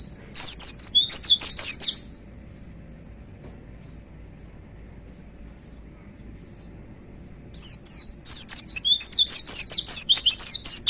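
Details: White-eye in 'gacor' song: a two-second flurry of rapid, very high slurred twitters, a long quiet gap of about five seconds, then another extended run of quick, thin, descending whistles.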